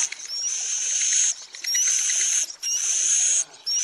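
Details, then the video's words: Swiftlet lure call for attracting roosting birds to a building: long shrill buzzy trills, each opening with a quick upward whistle, three bursts with short breaks between. "Suara panggil burung wallet menginap"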